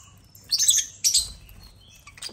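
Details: African lovebirds taking over a toy construction crane hung with millet; two bursts of shrill, rapid high chirping about half a second apart, then a faint short squeak at the end.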